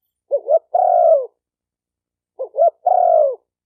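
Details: Two phrases from a spotted dove, a call for rousing decoy, male and female birds: each opens with two short, lifting coos and ends in a sustained coo that drops gently in pitch, spaced about two seconds apart, quiet background.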